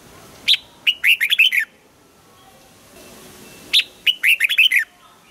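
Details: Morning training song of a red-whiskered bulbul in the wild-style double-note manner: two matching phrases about three seconds apart, each opening with a sharp clipped note followed by a fast, chirpy, warbling run.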